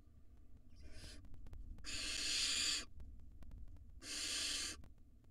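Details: Barn owl nestlings, wild, in a monitored nest box while gulping down rodents; a soft brief hiss, then two loud drawn-out breathy screeches, with light ticks and low rumbling background.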